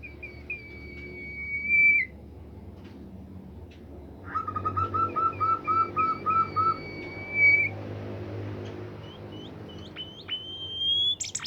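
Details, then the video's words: Bimoli bird song said to spur other bimoli birds to sing: a long high whistle, then a rapid run of about nine lower looping notes, more level whistles, and rising sweeps, against a steady background murmur. "burung bimoli lain nya akan ikutan gacor"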